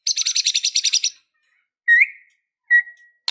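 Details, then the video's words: White-rumped shama, described as suddenly turning emotional and aggressive like a fighter: a rapid, buzzy rattling trill of about ten pulses, then after a pause two clear, separate rising whistles. "Suara Murai Batu Gacor Full isian"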